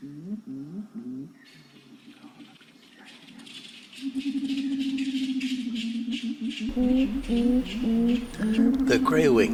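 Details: Grey-winged trumpeter, locally called Waracaba in Suriname, giving its normal flock contact call: low, hollow humming notes in quick stepped series, about two per second, with a long droning hum in the middle.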